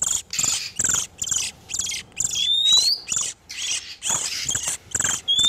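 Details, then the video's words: Breeding-condition oriental magpie-robins, male and female, a lure for trapping wild birds: harsh scratchy phrases with a mid-clip rising whistle and another whistle at the very end. "SUARA PIKAT BURUNG KACER TERBARU/SUARA KACER BIRAHI"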